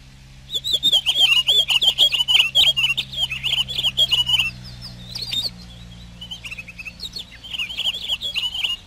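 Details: A Pine Grosbeak sings long, rapid strings of chirpy, warbled notes, several per second, broken by a short pause before further twittering phrases, over a low steady hum.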